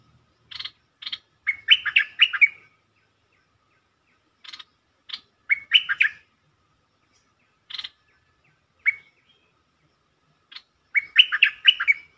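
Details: Lure recording of bulbul song meant to excite birds: repeated phrases, each opening with one or two buzzy chips and running into a rich, bubbling run of whistled notes, given four times with pauses.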